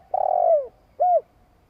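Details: Spotted dove's long coo meant to provoke other doves: a drawn-out purring note that slides downward at its end, followed by one short, round, hollow coo.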